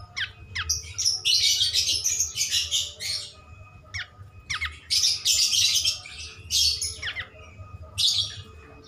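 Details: Cream-striped bulbul, a lively singer used as a master recording for training songbirds: dense bursts of rapid high chirps and buzzy notes, with short sharp downward calls between phrases and a faint low hum behind.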